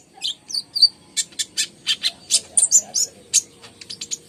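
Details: Lively song of the ruby-cheeked sunbird, known as konin: a couple of high whistled slurs, then a regular series of sharp, high chirps about four a second, ending in quicker twittering.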